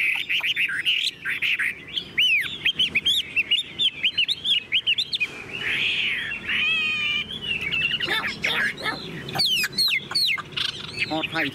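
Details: Chinese hwamei, a tame caged bird, singing continuously: rapid varied whistles, sharp chips and looping slurred phrases, with a brief rough churring passage partway through.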